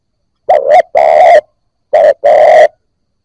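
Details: Spotted dove cooing used to rouse newly caught birds: two loud, buzzy-edged phrases, each a short note followed by a sustained mid-pitched coo, repeated after a brief pause. No other sounds.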